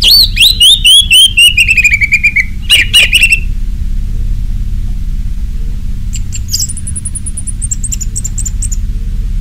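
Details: Orange-headed thrush in 'ngeplong' style, a lure to make caged birds sing: a fast run of bright whistled notes stepping downward, then a short burst, and later a thin, very high drawn-out whistle that falls away.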